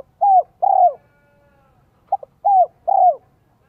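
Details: Spotted dove used in Vietnam to lure wild doves, singing in the 'giọng son 1 cốt lỡ' style; two soft falling coos, a pause, then a clipped double note followed by two more drawn-out coos.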